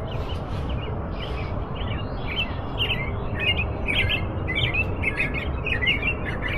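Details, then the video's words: American robin giving an impressive song: a run of short, quick chirping notes at mid-high pitch, over a steady low rumble of background noise. "impressionante canto do sabiá-norte-americano"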